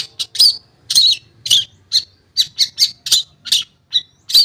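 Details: Long-tailed shrike song used as a lure to prompt silent shrikes to sing: harsh, buzzy high notes in short bursts, roughly ten in four and a half seconds, some with brief whistled inflections.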